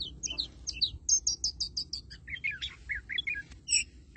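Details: Oriental magpie-robin giving continuous 'than mồi' style song: a run of clear, evenly spaced whistled notes, then lower slurred, buzzy phrases and a final high double note, with soft low background hum.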